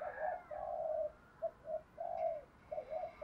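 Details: Decoy spotted dove, native voice, with a one-ending calling coo meant to attract males: muffled, hollow coos of varying length over a noisy, hissing background.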